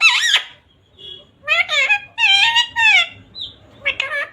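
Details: Talking pet parrot, a green ringneck, loudly and clearly utters "radhe radhe" indoors: a high squeal, then several gravelly, voice-like syllables with sliding pitch, separated by short gaps, over a faint low hum.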